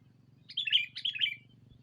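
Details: Rival-calling lure sound of a sooty-headed bulbul: two quick bubbly phrases of rich, slurred chirps close together, with a gentle low hum underneath.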